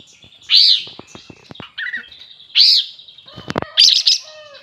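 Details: Sooty-headed bulbul in energetic song, giving loud, bright, slurred whistled phrases with sharp upward-downward notes, separated by short pauses and interspersed with clicking and rattling sounds.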